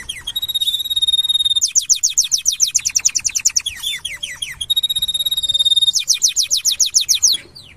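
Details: Singing canary recorded in 2025, opening with a long pure whistled tone, then a rapid run of repeated sliding chirps, followed by another sustained whistle and a second burst of quick trilled notes.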